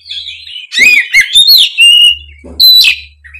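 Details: A lure recording of an Oriental magpie-robin singing in the 'gacor ngeplong' style for juvenile kacer; a fast phrase of descending whistles and sharp chips, then a steady whistled note and a final high accent.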